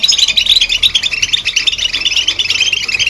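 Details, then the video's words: Short burst of goldfinch chirps: crisp, high, rapidly repeated twitters, some with clear whistled accents, packed closely together. "Chirps And Sounds Of Goldfinch"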